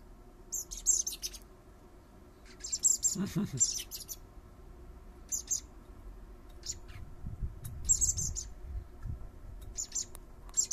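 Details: Common blackbird fledglings, three young being fed by their father in a garden, giving high thin repeated begging calls in short bursts, with a low murmur and background hum beneath.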